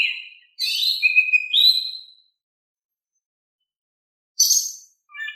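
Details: Gentle Oriental magpie-robin song to coax silent birds into singing back: sweet whistled phrases with rising and falling slurs for two seconds, a pause of about two seconds, then a short high burst and soft lower notes.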